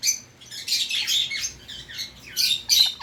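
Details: Indian ringneck parakeet kept as a pet, screeching in rapid raspy bursts, several harsh calls packed into three seconds with brief pauses.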